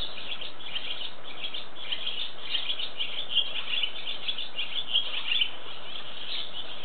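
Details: Barn swallows building their nest on 25 April 2012, flying busily back and forth: a steady, lively chatter of high twittering notes runs throughout, softly layered over a background hiss.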